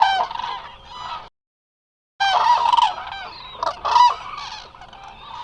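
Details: Eurasian cranes, a large resting flock at the Hula Nature Reserve in Israel, picked up by a live webcam; loud overlapping trumpeting, rolling calls from many birds, broken by a brief silent gap, then resuming as a dense chorus.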